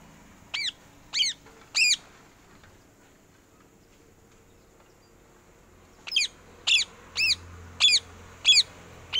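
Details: Green parrot in training, giving sharp harsh squawks: three evenly spaced calls, a quiet pause of about four seconds, then six more squawks roughly every half second, with a faint low hum underneath.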